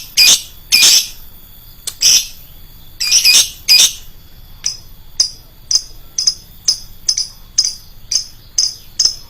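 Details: Shrill lovebird calls used as a lure: a few loud, rasping screeches open the passage, then a quicker run of short, sharp high chirps follows at an uneven pace.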